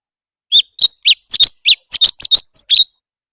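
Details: Leafbird singing in competition, a rapid run of about a dozen sharp chirped and whistled notes with varied, bending pitch, each note short and separated by brief gaps; no other sounds.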